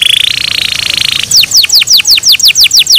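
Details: Kept canary singing in the morning, starting with a rich buzzy rolling trill, then a measured series of high descending whistled notes about three per second.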